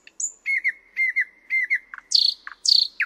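Thrush nightingale song: a high thin whistle, then three quick runs of paired mid-pitched notes, followed by harsh, rasping bursts alternating with low clucks. The background is quiet.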